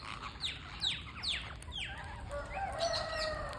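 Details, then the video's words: Parakeet during feeding, with a run of sharp descending chirps about every half second, followed by thin sustained whistled tones and faint chattering. "Parakeet Feeding"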